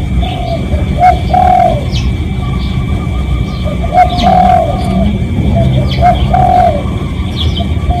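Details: Real recording of a spotted dove's lure call for drawing other doves: a run of gentle, husky coo phrases, each with a short lead note and a drawn-out ending, against rumbling background noise, faint chirps, and a steady hum.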